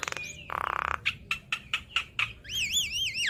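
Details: Javan myna singing for a cage-bird training recording: a short whistle, a dense buzzy rattle, a series of five clipped harsh notes, then high wavering warbled whistles.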